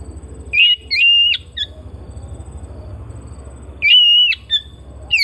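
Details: Caged Oriental magpie-robin whistling long, flat, pure notes that end in abrupt upward flicks, in two separate phrases, with a constant low hum behind.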